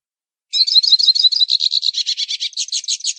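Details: Pintassilgo baianinho, the hooded siskin, singing a fast, unbroken stream of high chirps and buzzy trills, about five notes per second, lasting nearly three seconds.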